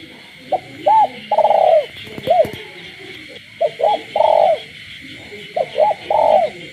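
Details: Spotted dove in captivity cooing after dark in the village, three full phrases of a clipped note, a curved coo and a drawn-out rolling coo, with continuous frog calls humming underneath and a brief click.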